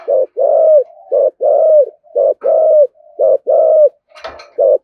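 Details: Spotted dove in the 'thổ' voice and 'thúc gù' style, used to provoke rival doves: deep, resonant coos in short-then-long pairs, roughly one a second, with faint humming between and a brief click near the end.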